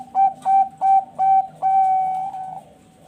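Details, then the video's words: Bangkok-type zebra dove from a breeding farm in Bekasi, West Java, Indonesia, singing actively; recording used as a lure to prompt other doves to sing. Clear mellow whistled notes repeated about three per second, ending in one long sustained tone. "PANCINGAN SUARA BURUNG PERKUTUT BANGKOK MANGGUNG GACOR"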